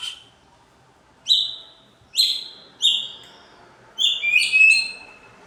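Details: White-rumped shama song meant to agitate other birds: a quieter sequence of short, bright whistled notes, three spaced single notes then a quick twittering cluster, over a faint background hiss.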